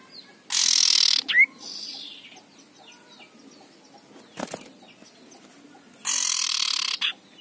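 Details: An aggressive male common iora gives two long, harsh rasping "ngekrek" bursts about five seconds apart, with a brief rising whistle, soft chips and a dull knock between; a recording used to provoke other ioras.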